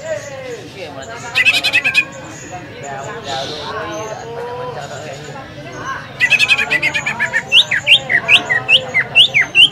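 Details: A caged green leafbird sings at a bird-singing practice contest at a field in Semparuk. The song is used as a lure to provoke other birds to sing. It has harsh buzzy rattles, then loud, quick, rising whistled notes, over crowd chatter.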